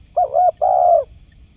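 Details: A single spotted dove phrase used as a trapping lure, a brief quavering coo leading straight into a longer level hoot, soft and low-pitched.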